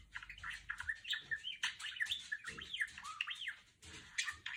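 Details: Female pet budgerigar chattering, imitating R2-D2 sounds: a dense warble of rapid chirps and whistled notes that sweep up and down. Some notes slide steeply downward near the end, with brief pauses between bursts.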